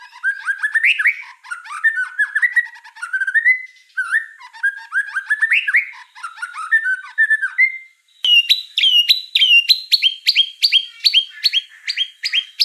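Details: Lively white-rumped shama song: tumbling varied whistled phrases rising and falling for several seconds, then a shift to a higher, faster series of repeated sharp whistles that continue steadily to the end.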